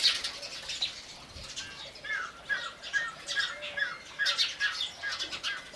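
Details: House sparrow calls: short, sharp chirps repeated in an uneven stream, several overlapping, over a soft background hiss.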